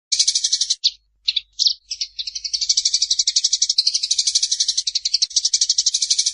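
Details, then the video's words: Eurasian tree sparrow singing in the daytime, a melodious sound said to make one sleepy: a few short high chirps with brief pauses, then a fast unbroken run of bright chirps, about four each second. "burung gereja di siang hari suara yg merdu bikin mengantuk"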